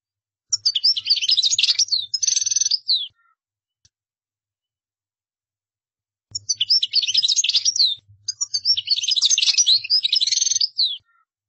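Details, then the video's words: European goldfinch in full song as a model for other birds to copy: long, dense phrases of tinkling twitters and buzzy trills, about two and a half seconds each, separated by a pause of about three seconds. "تغريد مقنين قدارة"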